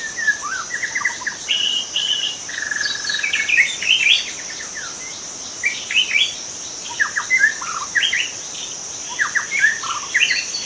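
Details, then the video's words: Forest-living young white-rumped shama delivering a long, varied song of fluty whistles, trills and sharp down-slurred notes in bursts, with a persistent high insect drone underneath. "Kicau murai muda hutan"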